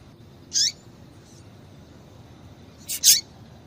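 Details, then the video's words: Calling female double-collared seedeater, used to warm up males: one sharp buzzy chirp, then after a pause a quick double chirp, both high and brief with a slight downward sweep, over faint steady background noise. "Fêmea de Coleiro piadeira Para Esquentar coleiro"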